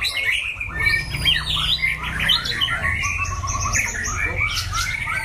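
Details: Competition white-rumped shama with strong endurance and a loud voice, singing varied whistled phrases and harsh notes continuously over faint low noise.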